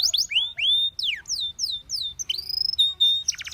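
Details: Domestic canary singing a training melody: a chain of sweeping whistled slurs, some rising, some falling, ending in a brief rapid buzzy roll.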